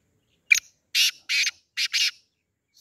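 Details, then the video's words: Black francolin giving its harsh, rasping call: a short sharp opening note, then four loud grating buzzy bursts in quick rhythm, the last two nearly joined, with a faint note trailing at the end. "sindhi teetar ki awaz black teetar ki awaz kala teetar ki awaz desi teetar ki awaz blackfrancolin"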